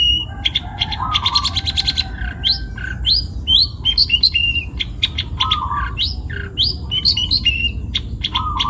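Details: Long-tailed shrike taken young from the wild, Pati, Central Java: a varied, fast medley of rapid buzzy trills, sharp upslurred whistles and lower warbled phrases, delivered almost continuously against low rumbling background noise.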